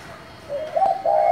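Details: Spotted dove with a 'thổ' style voice, calling to stir wild doves into answering. A brief low cooing phrase rises in loudness, with smooth sliding notes and a final held coo.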